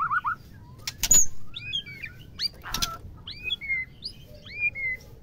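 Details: Scattered whistled notes from a female white-rumped shama, calling to rouse males into mating, include sharp upslurs and downslurred whistles between loud clicks and knocks.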